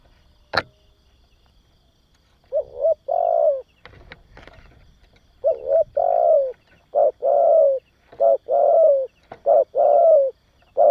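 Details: Cooing of a spotted dove, a recording meant to stimulate and train young doves; after a sharp click and some brief rustling, mellow low coos run in short-then-long pairs, repeated several times.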